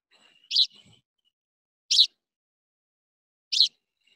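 Richard's Pipit giving three harsh, explosive 'schreep' calls about one and a half seconds apart, each short and high-pitched; otherwise quiet.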